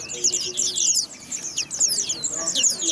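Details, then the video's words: White-eye delivering rapid high twittering phrases of quick downslurred and warbled notes, bursts separated by brief gaps, over quiet background noise. "Burung pleci mantap"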